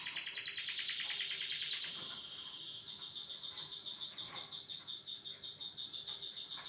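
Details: Canary singing in the morning: fast rapid-fire trills around high pitch, a loud pulsed roll repeated about three times a second for two seconds, then softer continuous trilled phrases with a brief upward whistled note.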